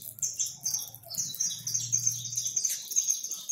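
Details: Over a hundred free-living saffron finches being fed in a backyard, a dense flock chorus of high, bright chirps and twitters that overlap without pause, with a faint low hum underneath.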